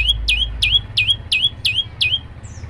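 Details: Olive-backed tailorbird (prenjak lumut) singing energetically: six loud notes that dip and then ring out as clear whistles, evenly spaced, followed by a faint high squeak, with a low rumble at the start.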